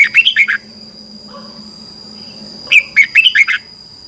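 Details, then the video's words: Red-whiskered bulbul competitive morning song for training birds: two quick phrases of lively, warbled whistled notes separated by a two-second pause, over a low hum and a steady high whine. "Luyện chào mào hót sáng 2021 | chào mào hót đấu"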